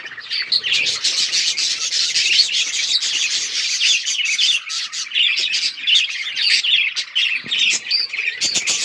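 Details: Budgies playing together on October 30, 2023, producing unbroken, busy chirping: many quick high twittering notes and raspy warbles overlapping densely for the whole stretch, loud and steady.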